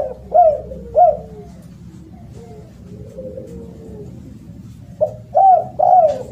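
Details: Spotted dove, a loud and melodious caller, giving two sharp coos, soft murmuring falling notes, then three more strong coos at the end.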